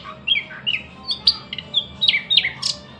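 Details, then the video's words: Brief thrush nightingale passage of quick whistled and chirping notes, several slurred downward, given in close succession over a faint steady hum. "luscinia luscinia"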